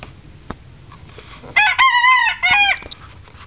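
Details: A seven-week-old Old English Game cockerel gives its very first crow. After a few soft clicks, one loud harmonic crow of about a second and a half breaks once, then ends with a short drawn-out note over low hiss.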